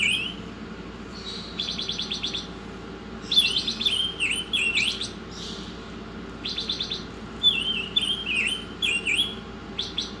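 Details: Oriental magpie-robin giving a lively, high song: rapid rattling trills, sweeping whistles and wavering slurred notes in short bursts with gaps between, against faint steady background hum.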